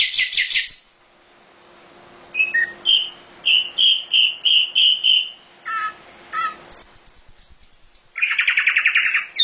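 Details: Master recording for training birds of a nightingale, known locally as sikatan londo, in lively full song: a fast high trill, a pause, then a series of evenly spaced clear whistled notes, scattered short calls, and a closing buzzy rattling trill.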